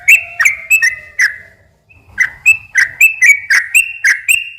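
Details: A sooty-headed bulbul's ropel singing, used to attract other bulbuls: a few bright whistles, a short pause, then a fast run of ringing two-tone phrases with crisp clicks.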